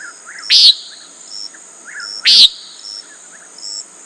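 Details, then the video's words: Common nighthawk giving two short, buzzy, nasal peent calls about two seconds apart, over a steady high insect drone with soft chirps from other small callers. "Common Nighthawk Sound"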